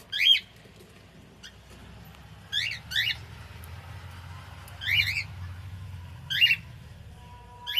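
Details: Cockatiel singing, heard as short, bright, chirping calls that rise and fall, given in scattered bursts every one to two seconds over a low background hum.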